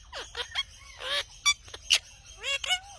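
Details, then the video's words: Indian ringneck parrot making quick, squeaky squawks and swooping whistles, several bright sharp bursts and falling slurred notes packed into a few seconds. "Funny Talking Indian Ringneck Parrot"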